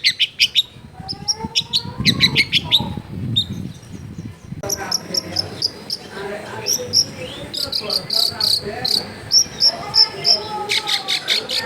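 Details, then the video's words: Long-tailed shrike, a caged bird recorded at home in a dense neighbourhood, singing busy phrases of sharp high chirps and repeated bright notes, with low murmuring and household noise underneath. "CENDET GACOR FULL ISIAN MEWAH COCOK BUAT MASTERAN CENDET MACET BUNYI AUTO MENJERIT"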